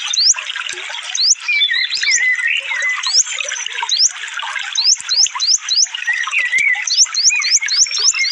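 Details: Sunbird song for training cage birds, in the fast, dense "full tembakan" style: a rapid series of sharp, upward-sweeping thin whistles, bunched in quick runs, over a busy chorus of other chirping birds and running water.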